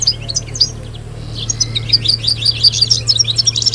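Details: Group song of European goldfinches, used to coach young singers and prompt females to breed: soft twittering at first, then a run of bright repeated chirps roughly twice a second, over a low hum.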